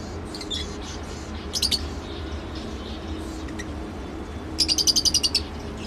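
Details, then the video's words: Scattered soft squeaks from a lovebird, then a rapid evenly spaced series of about eight high shrill chirps; low background hum throughout. "love bird sounds | lovebird behavior"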